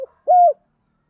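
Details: One smooth, even coo from a decoy spotted dove used to lure wild doves, rising slightly then dropping off at the end, after the tail of a previous note. The surroundings are quiet.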